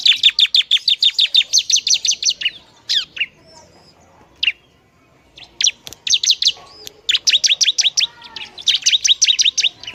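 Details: Bar-winged prinia song used to provoke other prinias: long fast trains of identical sharp high notes, about three per second, broken by scattered single chirps and a pause.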